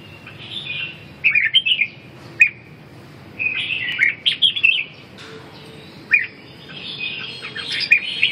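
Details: Red-whiskered bulbul singing in short bursts of rich, warbling whistled phrases, each lasting about half a second to a second, separated by brief pauses, with quieter single chirps between phrases; steady low background hum.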